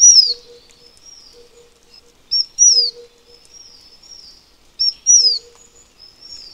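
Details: ["Taiwan fulvetta, an endemic bird of Taiwan's high mountains that moves lower in winter, sings high thin phrases roughly every two and a half seconds, each ending in a clear descending whistle; faint low hum."]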